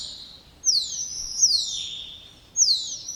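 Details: Spotless starling singing three sharp, high whistles, each swooping steeply downward, spaced about a second apart.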